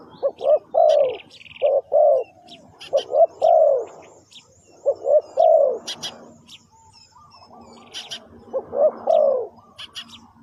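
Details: Lure call of a spotted dove for trapping birds: steady husky coo phrases about every two seconds, each a quick double note then a long falling coo, with scattered high chirps behind.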